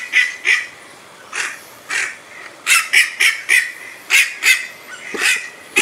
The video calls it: Brazilian Merganser duck (Mergus octosetaceus) sound and call